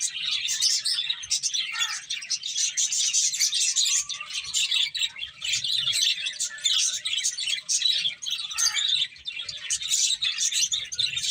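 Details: Steady high-pitched chattering of feeding finches runs throughout, many short tweets overlapping, with only brief lulls.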